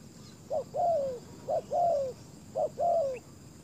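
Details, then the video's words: Spotted dove kept as a decoy to attract wild doves to the ground. Three evenly spaced couplets, each a short clipped coo and then a longer descending one. A faint high chirp sounds near the end. "นกเขาต่อดิน เจ้าโกแดน,ต่อนกเขาใหญ่ลานดิน"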